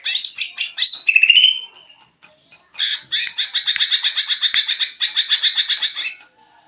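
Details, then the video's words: A Greater Green Leafbird, still learning to sing, gives a couple of seconds of varied, high, whistled and slurred notes, then a rapid chattering run of bright repeated notes for about three seconds. "Cucak ijo belajar bunyi"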